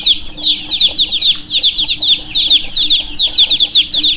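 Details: Baby chicks keep up a busy chorus of sharp, high, falling peeps, several birds calling at once in quick succession, with a faint low hum behind.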